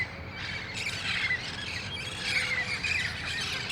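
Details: At dusk in El Cajon, August 1, 2018, wild red-faced parrots gather before roosting in nearby trees; grating squawks swell and overlap in a noisy chorus, with a faint low drone behind.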